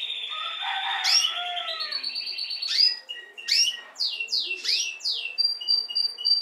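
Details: Young Timbrado canaries from this breeding season, bred in captivity: a rolling warbled trill in the first seconds, then a run of rapid downward-sweeping chirps repeated about twice a second, ending on a thin high note.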